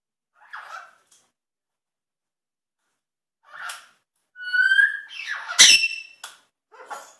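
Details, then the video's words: African grey parrot kept as a pet with a macaw, doing sound effects: soft scratchy chatter, then a rising whistled sweep into a loud noisy burst and sharp click, ending in quieter rasps. "African Grey does sound effects"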